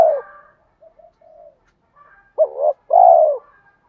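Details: Male and female spotted doves calling, used to set off cooing in trained birds. A tail of one coo, some soft muttering notes, then a single clear phrase: a quavering note followed by a loud, drawn-out falling coo.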